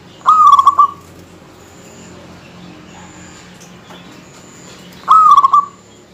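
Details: Local zebra dove in full song to taunt rivals, its voice dense: two short bursts of fast, stuttering cooing notes roughly five seconds apart, separated by low background noise.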